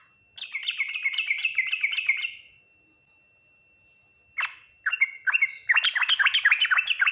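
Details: Yellow-vented bulbul in the ngriwik, nguplik, tuklik-tuklik song style, said to be answered quickly by other bulbuls; a steady two-second string of bubbly repeated phrases, a silent gap, then an abrupt note and renewed rapid, chattering warbles.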